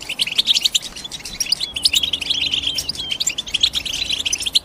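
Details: European goldfinch chirping: rapid, bright twittering notes packed closely together, with a few short sliding whistles near the middle and a steady busy flow throughout, with faint low hum underneath.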